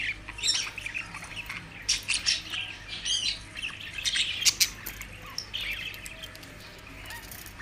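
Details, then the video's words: Several budgerigars chattering nonstop, a dense mix of high chirps, warbling twitters and short squawks with steady low hum underneath. "budgies chirping sound effects"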